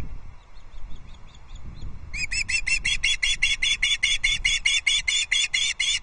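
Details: Two osprey chicks at a Loch Arkaig nest in the Scottish Highlands fight over a delivered fish, 2 August 2022; faint piping at first, then a long run of loud, fast, shrill repeated whistles with a low background rumble.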